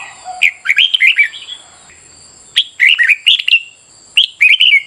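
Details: Red-whiskered bulbul singing in a morning training session for competitive song; dense, chattering whistled phrases with quick rising and falling notes come in three bursts, accompanied by a continuous high tone.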